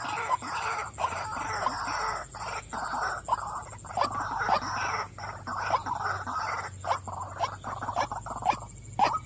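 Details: Female white-breasted waterhen calling: a dense, busy run of croaking notes near one pitch, packed closely with little pause, over a steady high electronic whine and low hum.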